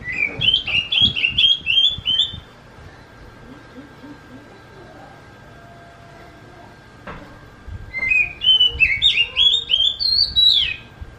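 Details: Kitten-like song of an oriental magpie-robin: a rapid string of stepped, whistled notes, then a quiet gap with faint noises, then another fast rising series ending in a high, drawn-out whistle.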